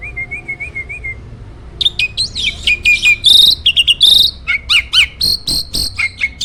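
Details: Master song of a champion contest starling: a soft wavering whistle opens, then loud clipped notes, harsh squeaks and piercing high whistles follow in an irregular, energetic stream.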